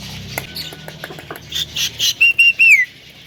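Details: Talking Javan myna with a loud, clear voice gives soft clicks, then three or four short, high whistled notes, the last slurring downward.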